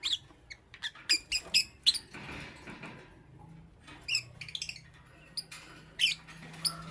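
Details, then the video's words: Lovebird in the morning giving bursts of sharp, squeaky high chirps in quick clusters, separated by short pauses and a soft rasping sound, with a low hum underneath. "Amazing Lovebird - Beautiful Colors - Chirping Sounds"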